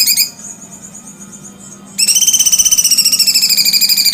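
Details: Cucak cungkok delivering a long, loud, rapidly pulsed trill with rich harmonics, repeated at a steady rate after a brief fainter passage at the start.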